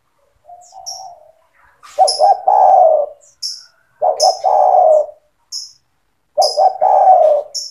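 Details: Spotted dove singing gacor to stimulate young doves to call: a soft coo, then three loud phrases of stuttered notes and a long coo, about every two seconds, with sharp high chirps of small birds throughout.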